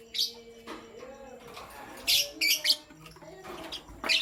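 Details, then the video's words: Pastel gray and green lovebirds chirping in the morning: rapid, piercing, raspy chirps in quick clusters, several close together in the middle, over faint lower chatter. "Pastel Gray LoveBird Chirping Sound"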